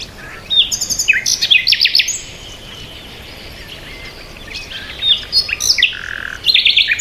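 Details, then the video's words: Birds chirping in repeated bursts: a fast volley of sharp high twitters, a quiet gap, then more scattered chirps and a short trill near the end. "bird chirping sound"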